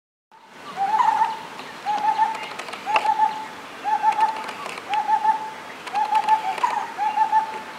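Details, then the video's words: Lineated barbet (Megalaima lineata), a bird of the Himalayan foothills, Bangladesh and West Bengal, gives low, mellow hollow notes near one pitch in short bubbling groups, repeated about once a second, with faint background noise. "দাগি বসন্ত । । Asian barbet । । Lineated barbet"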